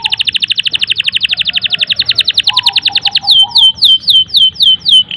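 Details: Canary singing a long, continuous song: a fast rapid trill of high repeated notes, about four per second at first then quickening, shifting at the end into slower, sweeping descending whistles, with a softer lower warble underneath.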